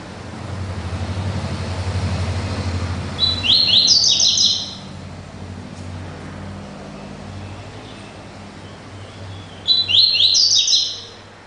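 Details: Double-collared seedeater singing its classic "tui tui" song style: two short bursts of rapid, high, sharp chirped notes about six seconds apart, over a steady low rumble like passing traffic.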